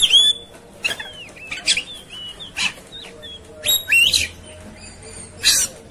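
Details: Oriental magpie-robin in raging 'tarung konslet' style: a lively string of short slurred whistles broken by loud harsh rasping bursts at uneven intervals, over a faint low hum.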